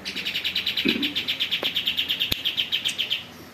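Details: Greater green leafbird sending out a steady, even train of bright, high, buzzy chip notes, about seven a second for three seconds, with a sharp click partway through and a faint low voice.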